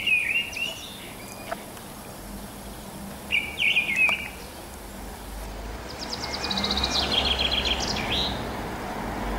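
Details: Morning song of a mistle thrush in spring 2010, March or April: two brief fluted, mellow phrases a few seconds apart, followed by a fast high trill from another small bird and a broad rushing background.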